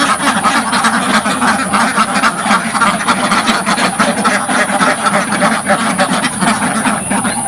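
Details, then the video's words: Dozens of ducks echoing through a village farm as they quack loudly at the front of their pen; dense, raspy, repeated quacks overlap without pause, with no music or speech. "LOUD Duck Sounds from the Front of the Pen"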